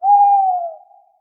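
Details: Owl calling at night with a loud, clear hoot that starts strongly, slides gently downward in pitch and tapers off over about a second; silence otherwise.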